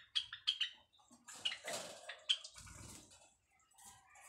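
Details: White Java sparrows in a breeding pair, busy building their nest, giving mating calls: several short high chirps early on, then a soft rustling, scraping noise.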